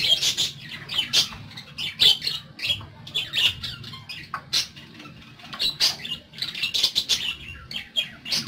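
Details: Shrill squawks and scratchy chirps from pet parakeets come in uneven clusters, loud bursts alternating with brief quieter gaps, the busy chatter resuming strongly toward the end.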